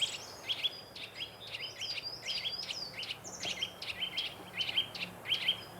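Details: Eurasian nuthatch alarm calls from a pair nesting in an old woodpecker hole in woodland near Harlech, chasing off an intruding woodpecker: loud, sharp, repeated ringing high notes, several per second, over a low background hum.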